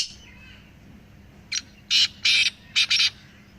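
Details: Three black francolins calling, played to get a pet francolin calling more strongly: a rasping, grating phrase of five loud bursts. A short soft one comes first, then paired harsh notes, against a faint hum.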